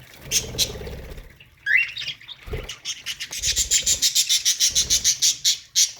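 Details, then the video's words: Budgerigars in an aviary colony, singing: rapid chirps and then a steady run of short bright pulses, about three per second, repeated through the second half, with soft low rustling between them. "budgie colony singing parakeet sounds aviary"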